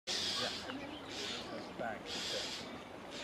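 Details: Common starlings scold a Carrion Crow that has landed in a tree near their nests, giving harsh, rasping screeches in noisy bursts about once a second, with a few thinner squeaky notes between.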